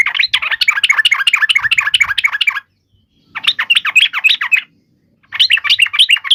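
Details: Fighting song of a yellow-vented bulbul, used to draw answers from other bulbuls: three bursts of fast, bubbling, slightly harsh chatter separated by brief silences.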